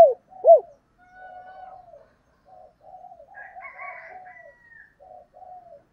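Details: Female spotted dove in 'thổ đồng' voice, a call played to stir up newly caught wild males: two short, sharp coos open, followed by soft, drawn-out murmuring coos with fainter, higher overtones.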